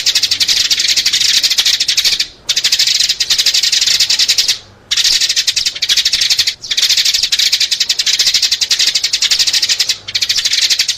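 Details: Sparrow lure calls: a near-continuous chatter of fast, high, harsh chirps lasting several seconds at a time, broken by a few brief silences.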